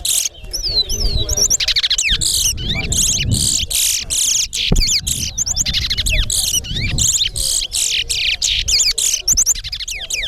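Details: Towa towa (chestnut-bellied seed-finch) competing in a bird race at Alligator Pond, delivering fast repeated phrases of high buzzy notes and sweeping whistles in quick succession, with low crowd murmur beneath.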